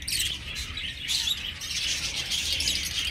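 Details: Aviary budgerigar colony giving a constant wash of high, scratchy chirps and warbled chatter from many birds together, with no pauses.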